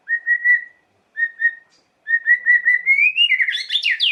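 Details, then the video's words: White-rumped shama song meant to provoke emotion: level whistled phrases with pauses, then a continuous rising, accelerating warble that climbs into high, varied chattering notes. "Lengkingan KICAU MURAI yang satu ini wajib disimak untuk pancingan emosi Murai Batu"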